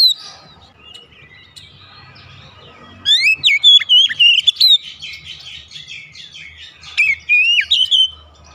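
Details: Oriental magpie-robin (kacer) gacor song for daily therapy of a silent bird. A quiet start with a low hum gives way to a loud run of whistled, warbling phrases and rapid twittering notes, which fades back to the hum.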